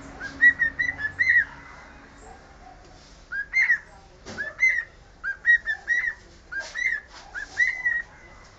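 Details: Cockatiel whistling a learned tune, the Sport football club anthem, as a string of clear, slurred whistled notes in quick groups of two or three, with a short gap midway and faint room noise behind.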